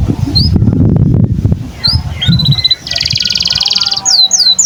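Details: Domestic canary song used as a master recording for training young canaries and canaries that have stopped singing: low rumbling noise at first, then high whistled downslurs, a rapid buzzy trill and a run of sweeping notes.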